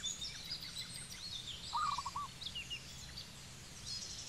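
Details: One quick, low series of staccato cooing beats from a zebra dove, Cambodia, midway through, surrounded by continuous high-pitched chatter of other birds.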